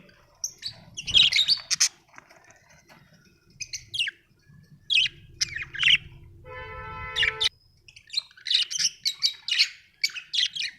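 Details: Happy budgie giving scattered scratchy chirps and squeaks; a steady ringing tone sounds briefly midway, then the chirping returns in quick clusters.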